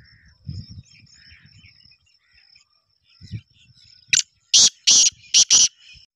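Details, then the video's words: Black francolin in full breeding excitement ('full mast'), described as a fast caller. Quiet low murmurs give way to a loud series of four harsh, raspy notes, the last two close together, ending the phrase. "Black teeter full mast"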